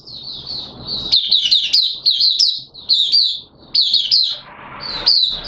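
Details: Oriental white-eye kept caged as a songbird, opening song in wet weather on 6 September 2022: soft high twitters swelling into vigorous, rapid sweet trills, interrupted by short pauses, with faint low hum behind.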